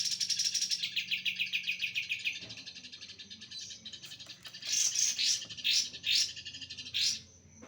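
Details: Oriental magpie-robin in trotol mastering: opens with a fast, rapidly repeated run of chattering high notes that gradually drops, then a pause and a series of loud, strident, rising-and-falling bursts over a faint steady high tone.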